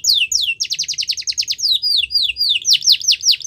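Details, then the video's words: Song of a Yorkshire canary, used for training: swooping whistled notes give way to a quick, evenly pulsed high trill, then a series of sharp descending slurs repeated in fast succession. "Yorkshire Canary Song"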